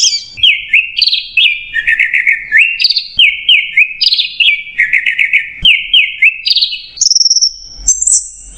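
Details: Orange-headed thrush singing a clear, continuous 'macet jernih' song used as a training recording for cage birds. Rapid, unbroken run of bright slurred whistles, many sliding downward and repeated in clusters, ending with higher sustained notes.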